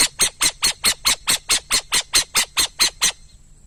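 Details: Rapid, regular run of around fourteen rasping, noisy notes from a burrowing owl, each short and harsh, spaced roughly four to a second and a half, then stopping.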